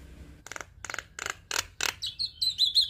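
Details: Javan myna song meant for training and provoking other starlings: five harsh, broadband rasping bursts about every third of a second, followed by thin, high, wavering whistles.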